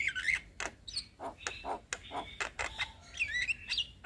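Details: Young, actively singing Javan myna, recorded as a tutor and to spur other mynas into song; whistled notes near the start and end, with bursts of short harsh chattering notes between them.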